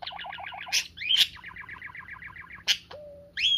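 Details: Pet parakeet playing with its owner's fingers as a sign of love and trust, giving fast repeated ticking warble notes broken by sharp high chirps and one short steady whistled tone.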